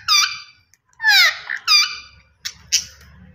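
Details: A pair of Australian parrots giving three loud, harsh, rasping squawks in quick succession, then two shorter, fainter chirps after a brief pause, with a low hum underneath.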